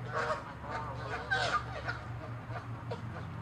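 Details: Loud angry Canada geese in a territorial fight, honking harshly in quick succession, overlapping nasal blasts packed closely together, with a steady low hum beneath.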